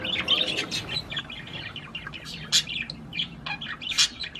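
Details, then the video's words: Budgerigar song meant to stimulate the female to mate: scattered short bright chirps and twittering notes, some sharp clicks, with gaps of quieter chatter between bursts. "تغريد طير البادجي لتحفيز الأنثى على التزاوج"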